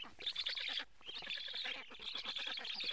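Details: Black stork at a nest in Karula, Estonia, filmed by a live nest camera on 8 July 2017 around 14:08 as a parent brings many frogs; dense, harsh, rapidly repeated chattering calls with short pauses.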